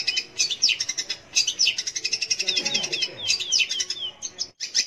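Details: Long-tailed shrike (cendet/pentet) song played to coax young or silent shrikes into song; irregular high chatter mixed with quick descending whistled slurs, ending in a short break and a final burst.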